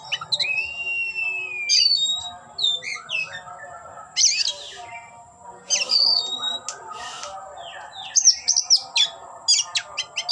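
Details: Oriental magpie-robin in display, tail spread, opening with a long level whistle then a lively jumble of chirps, buzzy trills and clicking notes, continuous and varied, with a faint steady electronic tone throughout.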